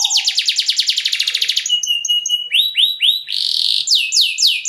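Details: Canary song of the luxury style, used as a lure to stimulate other canaries: a fast run of even, high buzzy trilled notes, then brief chips and a series of loud sweeping downslurred whistles, ending in rapid repeated slurs.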